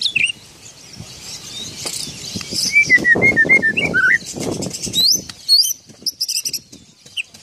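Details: Oriental magpie-robin whose song includes an imitated parking whistle: varied clear whistled phrases, several falling slurred notes near the middle, then sharp high upslurred notes, over soft rustling and low background noise.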